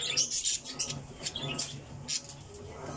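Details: Budgerigars kept in an aviary chatter with sharp, high-pitched chirps and short squawks, overlapping constantly, with a faint low hum behind them.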